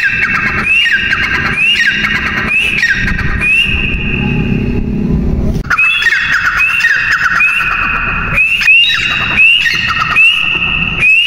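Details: Partridge (teetar) calling repeatedly with sliding, upward whistled notes that settle into a harsh, sustained tone. A stretch of low rumbling noise comes midway, and then quicker calls follow.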